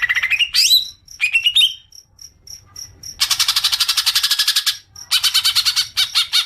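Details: Greater green leafbird call used as a lure for extended chattering: rising squeaky whistles, a pause with regular faint ticks, then long runs of rapid harsh rattling notes.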